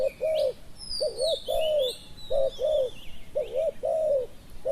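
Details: Spotted dove kept as a lure for wild doves in Thailand, cooing loudly in soft hollow two-part and drawn notes, roughly three phrases across the clip, with sweeping high chirps of small birds in the background.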